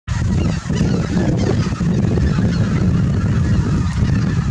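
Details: Greater white-fronted geese at Miyajimanuma marsh, Japan, in autumn 2020, trickling back to the marsh in early morning after leaving their roost. A dense chatter of overlapping honks runs throughout over a steady, heavy low rumble.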